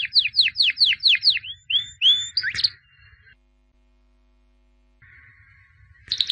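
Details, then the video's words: Champion albino white canary from 2017 sings a series of about six descending slurred notes, then a few rising whistles and a sharp chip, followed by a quiet pause and a new burst. "Εκπαίδευση καναρινιών - θα κελαηδούν σαν αηδόνια White Canary Singing (Albino) Chambion of 2017"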